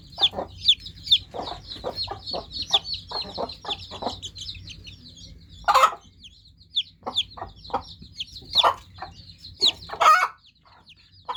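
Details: Newly hatched chicken chicks chirping: a steady stream of high, thin peeps with quick downward slurs, overlapping from several birds, broken by sharp dry clicks and a few louder broadband bursts.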